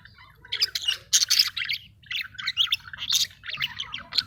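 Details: Caged budgerigars in breeding condition, mating and regurgitating food; busy chattering warble of scratchy, buzzy notes and short squeaks in quick, irregular bursts, with a faint low hum underneath.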